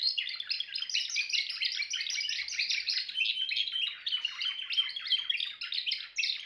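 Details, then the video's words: Timbrado canary pouring out a steady stream of fast rolling trills, rich and bubbling, changing phrase every second or so with no pauses. "meilleur chant canari l chant canari timbrado"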